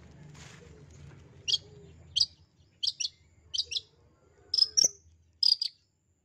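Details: Long-tailed shrike calling to encourage a quiet, shy shrike to sing; a series of short, sharp high double notes repeated about every half second after a brief stretch of low background rumble.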